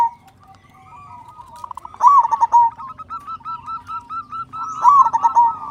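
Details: Local zebra dove singing often with a big voice, played as a lure so other doves start singing sooner. Two strong cooing phrases, each a sharp rising note followed by rapid pulses, stand out against steady softer dove calls.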